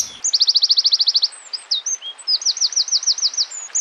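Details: Small songbird song used as a training recording for competition birds: a fast run of sharp, rhythmic high chips repeated about fourteen times, then varied whistled slurs and another rapid series of bright, harsh repeated notes.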